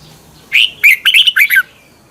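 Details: Short Red-whiskered bulbul song phrase from Thailand, used to teach young birds: about five quick, bright, warbled notes run together in roughly one second.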